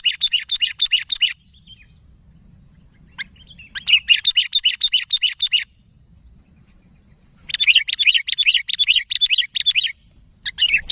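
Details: Rapid, insistent chattering from a sooty-headed bulbul calling to companions: extended runs of quick bubbling notes lasting a second or more, separated by short pauses and a few stray chips.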